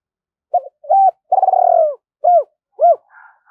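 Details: Spotted dove giving urging and luring calls to draw wild doves in as a flock, used when setting traps: a series of short, low, hollow coos, one longer rolling coo in the middle, ending in two brief arched notes and a faint higher note.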